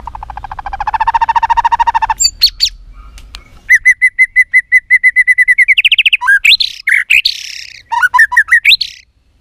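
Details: White-rumped shama, female voice meant to fire up males for fighting; a buzzy rattling trill, then a fast even series of clear repeated notes, ending in loud warbled, swooping whistles.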